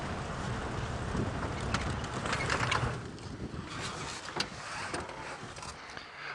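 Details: Engine rumble and wind buffeting from a safari vehicle at sunset, with scattered knocks and rattles and no animal calls.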